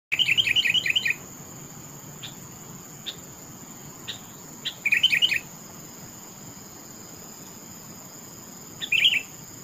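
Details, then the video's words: Sooty-headed bulbul singing in topcer style: three bursts of quick, bright chirping notes at the start, middle and end, with scattered single chirps between, over a steady high-pitched hum. "Suara burung Kutilang TOPCER merdu sekali"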